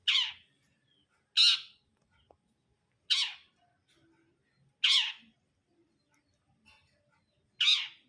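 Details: Long-tailed shrike, known locally as cendet brundol, giving harsh, rasping squawks repeated about every one and a half to two seconds. Five loud notes fall through a broad band, with quiet pauses between them.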